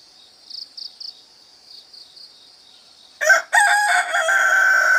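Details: Bird in the cool countryside in early morning: faint quick buzzy pulses in groups of three, then a loud harsh crowing call that breaks and holds on a drawn-out ringing note.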